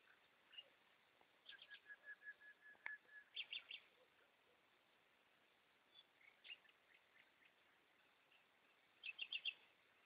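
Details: Night-singing goldfinches deliver bursts of high, tinkling twitter with a run of even chirps and scattered liquid notes, phrases separated by short pauses, against a low background hiss.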